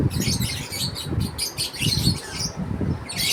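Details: Lovebird families at feeding time, chirping together in a dense, continuous chatter of high, shrill squeaks and twitters over a steady low rumbling background.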